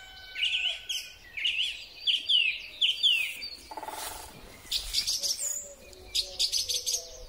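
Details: In spring, a song thrush sings, recorded on a Huawei P30 Pro: one whistled phrase repeated four times in a row, then a short buzzy rattle, then bursts of high repeated chips, with faint low cooing behind.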